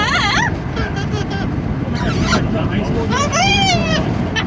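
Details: Amazon parrot riding in a car, calling in the wind: a wavering squawk, then a pause, then a harmonic wailing call that rises and falls, all over steady low rumble of car and wind noise.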